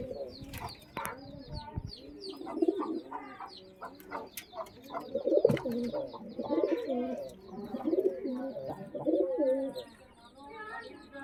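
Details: Domestic pigeons housed in a keeper's loft coo repeatedly in low, rolling, throaty phrases that swell and fade about every few seconds, over scattered high twittering from other birds and a constant faint hum.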